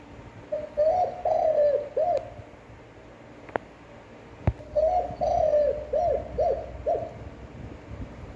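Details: Standard spotted dove cooing for stimulating trained decoy birds: a run of low wavering hoots ending in short arches, two sharp clicks in the pause, then a second similar sequence of coos.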